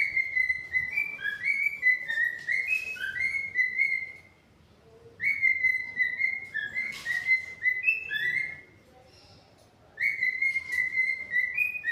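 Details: Pet cockatiels give three bursts of warbling whistles, each a run of short rising and falling slurred notes strung together, with quiet pauses of about a second between bursts.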